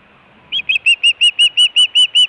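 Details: Osprey at the Hellgate nest camera, Montana, 24 June 2017, giving food or alert calls. Two rising notes lead into about eight bright, even, whistled chirps in quick succession.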